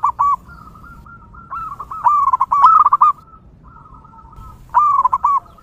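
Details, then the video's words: Zebra dove singing in the wild, recorded for luring other doves: soft drawn-out coos leading into quick stuttering trilled notes, phrases repeated after brief gaps, with light background bird chatter. "PERKUTUT LOKAL GACOR DI ALAM LIAR, DURASI PANJANG COCOK UNTUK MEMIKAT PERKUTUT LAIN"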